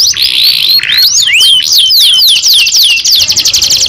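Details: Juvenile canary delivers slower looping whistled notes sliding downward, then shifts into a quick tight trill of repeated sharp notes.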